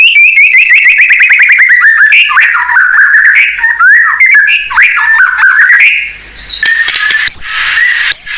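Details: Blorok white-rumped shama delivering a fill-in-rich lure song for raw shamas. Long descending series of rapid trilled notes, then bouncing whistled phrases and a thin, high, scratchy ending.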